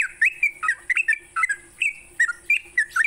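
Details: Brief morning song of a sooty-headed bulbul for songbird training: clear, fluty whistles, some held briefly, others sharply slurred, spaced unevenly across a few seconds.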